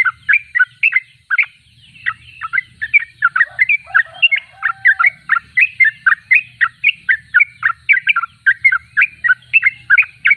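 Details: Rapid, bubbling chirps pour out from a Sooty-headed bulbul in full song, nearly continuous, with a low droning hum underneath and a brief steady tone midway.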